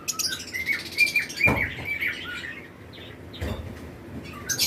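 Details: Captive lovebirds, pairs in a flight colony during breeding season, give shrill, high chirps and squawks, with a short steady whistled note early on and a few low thumps, as other birds call around them.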